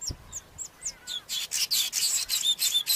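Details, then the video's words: Cape weaver: a few short high chirps and a faint whistled slur, then a run of loud, buzzy, rasping swizzle notes repeated about three times a second. "El Tejedor de El Cabo"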